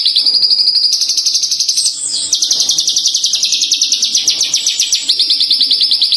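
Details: Kept branjangan, or Horsfield's bush lark, singing actively and tame: a continuous stream of high, buzzy repeated chirps with a short break and a pitch change partway, then resuming the rapid rhythm.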